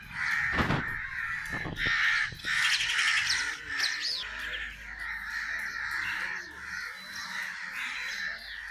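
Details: Crow giving rough caws in quick succession, with loud clicks near the start, then a run of hoarse calls that fades toward the end against faint background noise.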